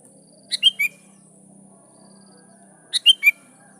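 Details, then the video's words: Sooty-headed bulbul in full song, calling out to rivals so wild birds reply: two short phrases of three clear, slightly falling notes about two and a half seconds apart, against near silence. "Suara Burung Kutilang Gacor Memanggil Lawan || Kutilang liar nyaut dan GACOR"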